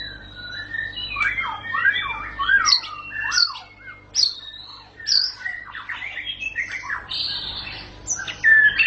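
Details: Varied song of a white-rumped shama: scratchy, squeaky notes mixed with high whistles and thin rising squeals, delivered in uneven bursts with short gaps.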